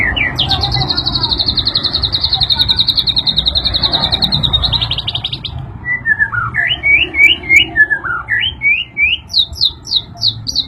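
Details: White-rumped shama said to be increasingly agitated by a sound played to it; a long, even high trill lasting several seconds, then varied slurred whistles and a run of brisk, repeated high upswept notes.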